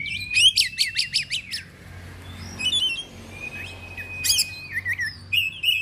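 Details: Excited Oriental magpie-robin with tail fanned, delivering loud open-voiced song: a rising whistle into rapid sharp repeated chips, then pauses broken by scratchy notes, a long flat whistle and bright varied trills.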